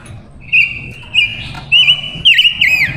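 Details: Silver-eared mesia female kept as a lure bird for wild males, singing steady, high, rolling warbled notes in clear phrases about every half second, ending in faster twisting figures, against faint low background hum.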